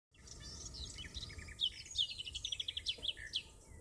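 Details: A Garden Warbler in full song by Dukes Head Passage in Bushy Park pours out a fast, rich warbling stream of high chirps and trills, with a low background rumble.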